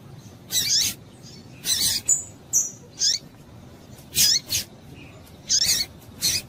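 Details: Calling female double-collared seedeater, used to excite males: high, scratchy chips with falling tails, given singly or in pairs at uneven intervals, roughly fifty per minute, with a few thin whistled notes between them.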